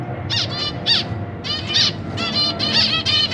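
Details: Captive zebra finch brood, parents feeding young chicks and juveniles, September 2023; nasal, buzzy calls repeated in short bursts over a noisy, rumbling background.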